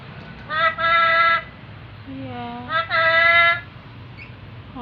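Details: Tame black-capped lory, a talking pet bird, calling "mama": two loud, nasal, harmonic-rich utterances of under a second each, with a brief lower human voice between them and a steady low hum underneath.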